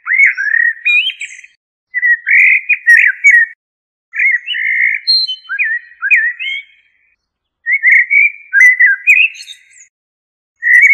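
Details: Common blackbird singing a run of five or six fluted, warbling phrases in quick succession, some finishing in thin, high squeaky notes, with short gaps between phrases.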